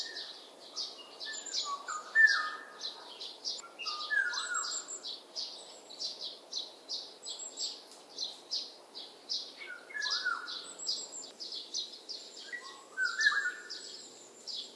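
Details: Oriole, among eight varied sounds: short fluty whistled phrases repeated every few seconds, some slurring downward, over a dense, regular background of high chirping from other birds.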